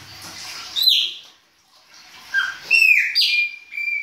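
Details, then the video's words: Chopi blackbird singing its baianinho-style song in winter: clear whistled notes, some sliding downward, in broken phrases with a short pause midway, then bright rising and falling whistles. "PÁSSARO PRETO BAIANINHO E SUAS CANTORIA DE INVERNO !"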